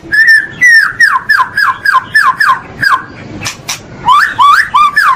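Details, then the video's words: White-rumped shama, pastol song used as a master for training caged birds: a run of about ten clear down-slurred whistles at a steady pace, a short gap with faint clicks, then quicker looping whistled notes. "masteran istimewa untuk melatih mental pastol murai part 1 batu"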